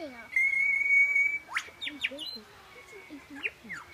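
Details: Superb lyrebird singing during its mating dance at Healesville Sanctuary, Victoria: a long steady whistled note with overtones, then scattered sharp downslurred chirps and brief squeaks at irregular intervals.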